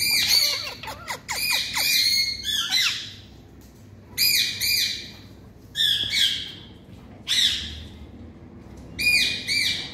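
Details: Ringneck parakeet in India screeching in loud, harsh, buzzy bursts that come about every one and a half to two seconds, each burst a cluster of rasping notes.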